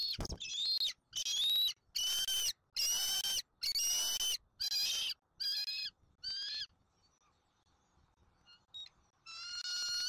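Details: Bald eagle family at a Southwest Florida nest during an eaglet's feeding at dinner, 13 January 2024. A loud run of about eight shrill, harmonic squealing notes in steady rhythm, then a pause and one more long squeal.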